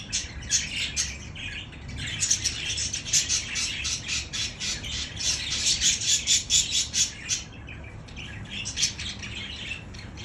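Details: Budgerigars singing to stimulate other budgies, rapid buzzy chattering in rhythmic pulses, about two per second, rising in intensity mid-way and then thinning out, faint low background rumble.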